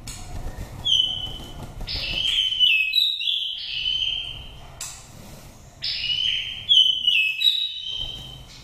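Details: Nest-raised oriental magpie-robin from Dak Lak, five seasons old, with a pure wild voice for stimulating or trapping birds. Rapid series of stepped whistled notes and slurs in two bursts, divided by a short pause.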